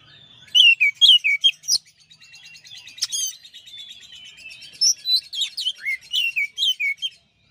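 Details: Oriental magpie-robin, a champion bird, singing master song. Crisp whistles and falling slurs arrive in quick bursts around a softer, dense chattering middle section, then a lively string of clear whistled notes.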